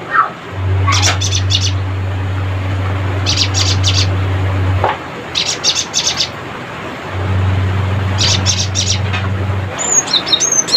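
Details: Rattling chatter of a lively Cinereous tit calling rivals: four separate bursts of rapid, high, scratchy notes spaced a couple of seconds apart, with a low engine-like hum coming and going and a few thin whistles near the end.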